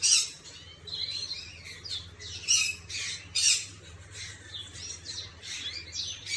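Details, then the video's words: Canary song from 11/5/25, broken into separate sharp, high chirps and harsh squawky notes with short pauses between them. Faint low hum in the background. "Chim Hồng Yến hót"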